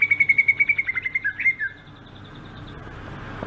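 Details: A Sumatran greater green leafbird sings its rolling ngerol song: a fast, even trill of about fourteen clear whistled notes in just over a second, then a few slurred, descending notes before quiet.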